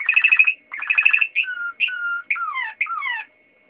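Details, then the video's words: Singing Waterslager canary with two fast rattling trills of bright notes, followed by separate drawn-out whistled notes that fall in pitch, each phrase ending in a pause; a faint steady tone hums underneath. "Kanarie waterslager aan het zingen"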